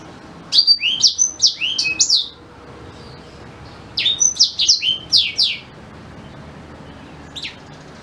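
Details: Black-throated canary singing in two quick bursts of high, sharp, slurred whistles about three seconds apart, then one lone chirp near the end. Recorded to tutor white-rumped shamas.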